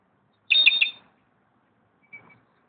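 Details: Slate-colored solitaire, known locally as clarín, calling at Xel-ha: a single short burst of layered high notes lasting about half a second, followed by a faint thin whistle after a pause.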